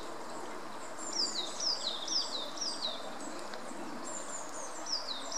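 Mallard ducklings peep in high, thin notes that slide downward, about two a second, over a steady outdoor hiss.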